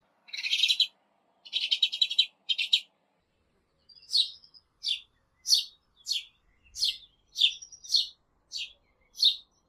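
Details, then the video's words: Sparrow song recorded with 8D audio: three buzzy chattering bursts of high notes, then single sharp chirps repeated roughly every half second, clear against silence. "SONIDO DE GORRIÓN"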